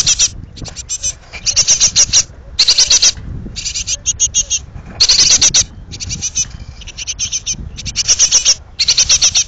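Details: In a pollard willow, a group of hungry young great tits on the point of fledging beg insistently: loud, rasping, high-pitched note series, repeated in bursts roughly every second, nearly continuous.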